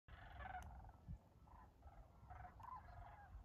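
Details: Sandhill cranes in flight over a farm on the Tennessee River at Dayton, Tennessee, in January, giving rolling, rattling calls in several short bursts, with steady low wind rumble underneath.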